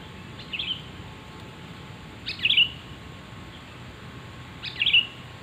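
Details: Sooty-headed bulbul calling, a recording used to lure birds: three separate short chirped notes, the first faint and the later two louder and sharper, spaced roughly two seconds apart over a faint constant hiss.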